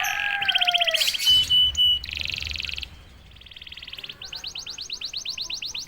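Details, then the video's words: Canary in full 'gacor' song, a quiet bird that starts singing once prompted: high whistles and a falling note, then a run of buzzy trills and fast rattling rolls that change every second or so. "KENARI GACOR||060|| Sekali pancing kenari diam langsung bunyi."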